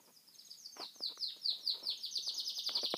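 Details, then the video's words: Chinese canary singing in Kuwait: a rapid series of high, bright downward-sweeping notes repeated about twice a second, growing louder midway, with faint clicks underneath. "كناري صيني يغرد"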